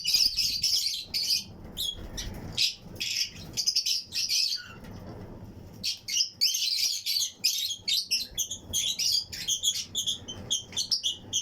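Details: Fischer's and Lutino lovebirds kept in pairs in a colony flight cage aviary chatter continuously. Rapid, piercing high chirps overlap in busy clusters, with a brief lull near the middle.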